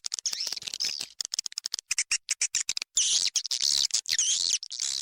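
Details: Indonesian swiftlet lure call meant to draw in swiftlets: very high, twittering clicks in quick irregular bursts, with longer, brighter trilled phrases in the second half.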